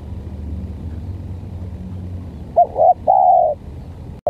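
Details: Spotted dove in a calling contest between a stuttering-voiced decoy and an odd-sounding dove: after a low engine rumble, three short mid-pitched cooing notes, the last one longest and level, then a sharp click.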